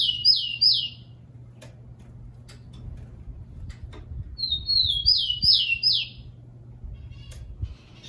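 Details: Rufous-collared sparrow song used to warm up caged birds: the tail of one phrase with three falling slurs, then after a pause a full phrase of soft whistles and three bright descending notes, with scattered clicks and low hum.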